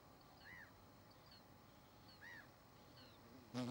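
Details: Common tern with two grown chicks: two soft arched, slurred calls about two seconds apart, with fainter higher notes, steady background hiss and a sudden loud knock at the end.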